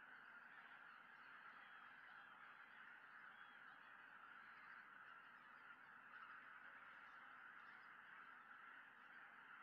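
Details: Evening flock of Greater white-fronted geese coming back all at once to a Tohoku lake in early December as a Peregrine Falcon looks on; many overlapping calls form an unbroken, even wash of honking.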